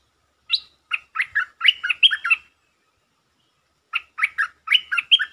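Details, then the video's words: Resident stripe-throated bulbul, provoked on its territory, repeats a sab-rik phrase twice: a run of rapid, bouncing chirps, a pause of over a second, then the same bubbly sequence again. "เสียงนกดอกแตงEp.149 เจ้าถิ่นยั่วดี สับริกล้วนๆ Suara pikat merbah lekir"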